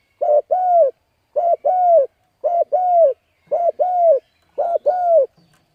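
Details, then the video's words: Spotted dove (cu gáy) cooing to lure wild birds: a low two-part coo, short note then a longer one, repeated five times roughly once a second, on a silent background. "Cu Gáy Thúc Gù Gáy Cực Phê Kích Mồi Tập Bổi Quá Hay"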